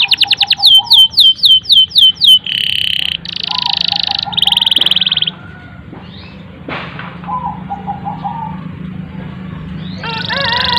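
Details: Canary giving long, steady song meant to coax young or silent canaries into singing: quick upslurred notes over a low warble, then blocks of dense buzzy rolls, fading to quiet low warbling with background hum.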